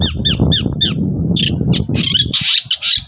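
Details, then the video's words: Long-tailed shrike singing hard in the morning to provoke replies from other shrikes: five quick descending whistled notes, then rasping, buzzy high squawks running together, with low rumble underneath. "BURUNG CENDET GACOR PAGI HARI BIKIN CENDET MANAPUN LANGSUNG NYAUT"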